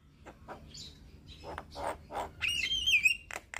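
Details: Captive Black-winged starling song played as therapy for lazy or stressed birds that will not sing: scattered scratchy chips build into a loud run of whistled, wavering notes and harsh chatter near the end.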